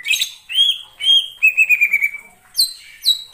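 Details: Greater green leafbird singing in the wild forest: rich whistled phrases, a long wavering descending note, then two sharp high downslurred calls.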